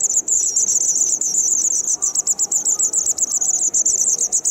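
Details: White wagtail nestlings in Kumiyama, Kyoto Prefecture, recorded 3 June 2019, two days before leaving the nest while parents feed them; an almost continuous stream of piercing high calls, pulsing rapidly, about four per second.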